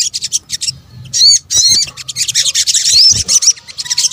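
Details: Lure mix of sunbird (sogok ontong, Indonesia) calls: bursts of sharp, high twitters with a few clear upslurred whistles, separated by brief gaps, with faint low rumble beneath.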